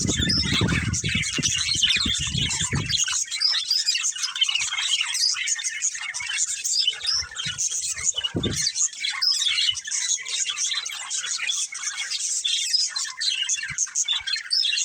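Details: Breeding pair of budgerigars keeping up constant high chirruping chatter, with a loud low rumble in the first three seconds and a brief thump midway.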